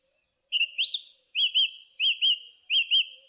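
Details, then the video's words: Song thrush song made of a paired, rising whistled note repeated four times in a rhythmic series. "Song Thrush Singing"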